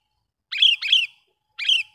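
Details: Lure call of a sooty-headed bulbul, meant to draw in wild bulbuls: two quick, harsh chirped notes in succession, a short pause, then a third similar note, clear with no background sounds.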